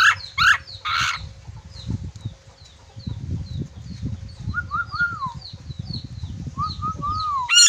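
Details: Sulawesi red-breasted parakeet whistling: short clear rising and falling whistled notes in two phrases, with repeated high thin chirps of another bird throughout and a few harsh squawks at the start.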